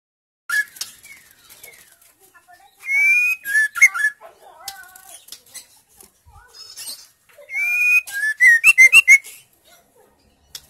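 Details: Female white-rumped shama singing to encourage silent males to sing: scattered soft whistles, then two loud bursts of sliding whistles with harsh buzzy overtones separated by a quieter stretch.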